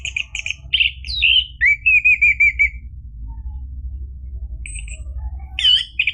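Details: Lure song of an orange-headed thrush for starting a caged bird singing: clear whistled notes, then a wavering trill, a quiet gap, and a few sharp whistles. A faint low rumble runs throughout.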